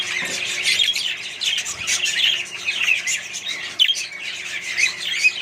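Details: Many Australian budgies and other colony birds chattering together, rapid warbled chirps layered thickly, with a brief louder burst near the end.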